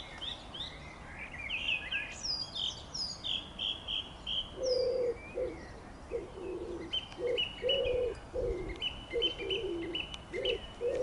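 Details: Song thrush singing on 24 June 2013, short whistled and chirping phrases repeated at high pitch, with a steady series of low hooting coos from another bird, likely a pigeon or dove, pulsing throughout.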